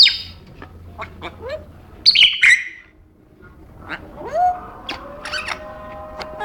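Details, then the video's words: Caged pet African grey parrot, a male, making his noises: sharp squawks and rising whistled notes, a loud burst near two seconds, then upslurred whistles and scattered clicks over a steady indoor hum. "kookoo the African Grey sounds"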